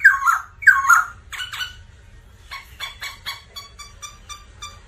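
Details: Black laughingthrush, a cage bird singing and dancing, used to stimulate other birds; harsh squawking phrases give way to a run of rapid repeated chattering notes over low rumbling background noise.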